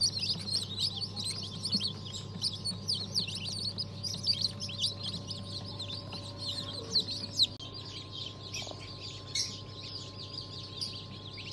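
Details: Freshly hatched chicks of several chicken breeds, among them Habeş, Sultan and İspenç, from a hatch on 1 December 2022; a dense, unbroken chorus of thin high peeps, with an electrical hum and occasional clunks.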